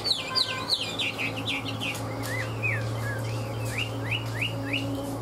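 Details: Tame Chinese hwamei singing in the five-phase 'ngũ trường' style, a bird described as a good fighter: quick run of falling whistled slurs, then slower rising whistled notes repeated about every half second, over a low steady hum.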